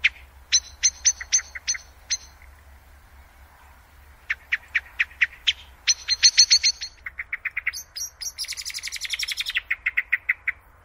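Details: Common Blackbird song, played back from a recording: bursts of sharp, high chirped notes repeated in quick runs with short pauses, building into a dense, fast twittering rattle near the end, over a faint low hum.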